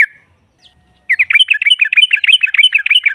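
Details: Female yellow-vented bulbul sounding off to provoke rival birds: a single short chirp, a second of quiet, then a fast rolling chatter of bright, bubbling notes, roughly three per second or more.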